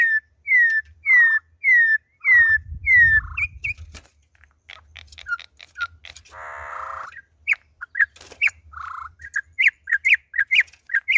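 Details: Campo troupial (concriz, 'imperador' type) on its second day, giving repeated downslurred whistles about twice a second, then a harsh low rattle, followed by quick chirpy and squawky notes mixed with faint knocking sounds.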